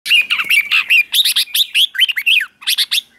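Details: Red-whiskered bulbul sung at morning training in the ché style, used to stir a wild-caught bird: bright, warbled whistled phrases tumbling rapidly, bubbly notes rising and falling, with a brief pause before a final burst.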